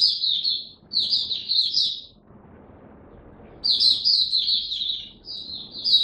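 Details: Singing white-eye in a cage delivering two fast, high, twittering warble phrases separated by a silent gap of over a second, with faint low background noise.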